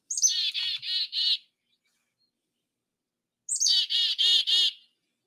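Two bouts of the Black-capped Chickadee's namesake call: a high thin note followed by three or four buzzy, harsh dee notes, repeated after a short pause.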